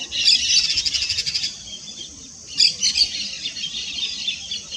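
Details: Yellow-chevroned parakeet chattering: two long, harsh, high-pitched bursts of rapidly pulsed screeches separated by a short pause, with no other clear sounds.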